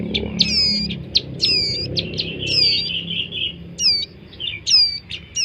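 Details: Chicks of the bar-winged prinia give piercing, twangy chirps in uneven runs, with a thin continuous whine between some notes and a quiet low background.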